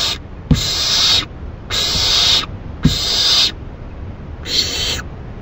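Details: Owl recorded on a webcam at 4:04 AM on June 7, 2012, giving four harsh, breathy, hissing screeches, each lasting under a second, with short pauses between them and a faint low background hum.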